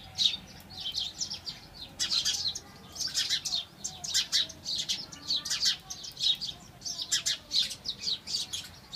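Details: Busy chatter of house sparrows: clusters of sharp, high chirps come in quick bursts, with brief lulls between the groups.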